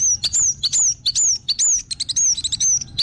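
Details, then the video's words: Orange-headed thrush singing a lively, fast sequence of high whistled slurs alternating with short sharp notes, repeated several times a second as a lure for other birds. "PANCINGAN BURUNG ANIS MERAH BIAR TELER DAN GACOR"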